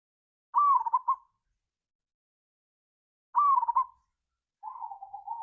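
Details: Lure recording of a local zebra dove, ngayer kerot nutut style, meant to set other doves singing: two rolling, bubbling coo phrases almost three seconds apart, then a lower, softer steady purr starting.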